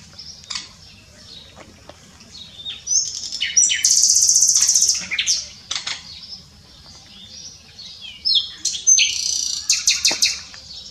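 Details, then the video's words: Common nightingale singing at s'Albufera, Mallorca, in 2017: rich, varied phrases of high whistles, a loud buzzy rattle, then rapid repeated notes, with pauses between bursts. "Nightingale singing"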